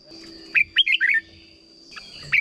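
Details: Red-whiskered bulbul song, a short phrase played to teach young birds: a quick run of five bright, warbling whistled notes rising and falling, then a pause and two more notes; a steady high tone hums behind.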